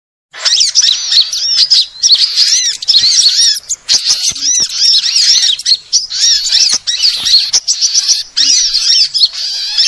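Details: Sunbirds, presented as a lure recording for all kinds of sunbirds: dense, ongoing chatter of high, thin, arched squeaky notes, overlapping and busy, broken by brief gaps, with no other clear sounds.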